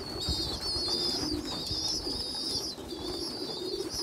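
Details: A poorly developed young pigeon feeding larger youngsters; loud shrill squealing for nearly three seconds, then softer, with low murmuring coos beneath.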